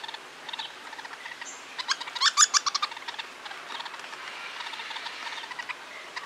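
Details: Hairy woodpecker father feeding a fledgling in Toronto, giving a short burst of sharp, rapid chirps mid-recording, surrounded by softer scattered notes and light background hiss.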